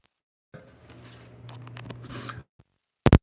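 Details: Indoor room sound with a low steady hum, soft scraping and rustling for about two seconds, then a sharp loud click near the end; no animal voice.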